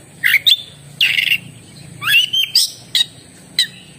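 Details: Oriental magpie-robin song in short spaced phrases: harsh raspy notes mixed with sweet upslurred whistles and brief chips, each phrase separated by short gaps.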